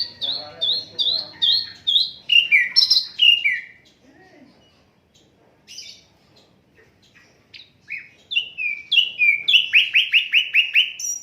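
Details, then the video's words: Asian brown flycatcher singing, unedited, as a tutor for cage songbirds: quick repeated chirp series, brief quiet spells with scattered notes, then a long run of rapid evenly spaced falling chirps. "Sikatan londo durasi 15 menit, Reall No editan, cocok buat masteran semua burung"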